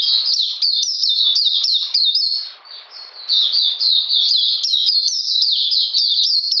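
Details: Continuous high warbling from an Oriental magpie-robin in cold, rainy weather, 13 June 2020; short swooping notes about three a second, with a brief softer dip midway.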